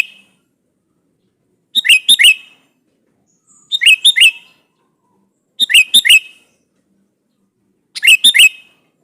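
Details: Sooty-headed bulbul's vigorous rival-provoking song: four clear bubbly phrases, each of three or four rapid notes, spaced roughly two seconds apart against a quiet background.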